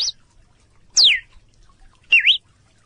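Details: A Red-cowled Cardinal, a Brazilian caatinga bird, gives clear, separate whistled notes: a brief high note, a long sweeping downslur, then a dipping-and-rising whistle, about one second apart, with a quiet background.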